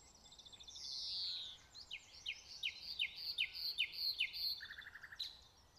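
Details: Nightingale in song at Pulborough Brooks reserve, opening with a loud descending whistled swoop, then a rhythmic series of about eight clipped repeated notes and a quick low rattle near the end.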